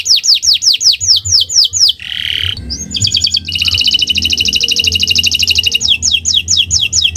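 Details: Canary singing in the owor-owor style, loud repeated downward-slurred whistles, then a buzzy rattle, then a fast rolling trill before the falling whistles return, over a faint low hum.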